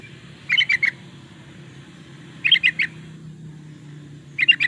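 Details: Yellow-vented bulbul (trucukan) song for luring or training birds: short bursts of four or five bubbly, chattering notes, repeated about every two seconds over a low background hum.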